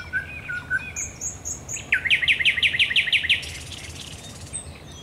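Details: Thrush nightingale singing at night at the Raszyn Ponds, Poland, on 10 May 2021: short high whistles, then a fast run of about ten loud, regular clicking notes, followed by a fading rattle.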